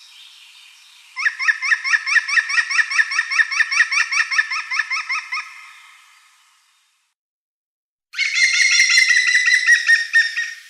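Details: Green woodpecker calling around Wittlich in 2017: a long rapid laughing run of bright, harmonic-rich notes, followed after a silence by a harsher, denser burst of rapid notes.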